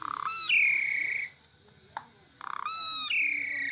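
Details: Asian pied starling kept in a cage, singing strongly: two phrases, each a low buzzing rattle running into a sustained, gently descending clear whistle, separated by a short pause with a faint click.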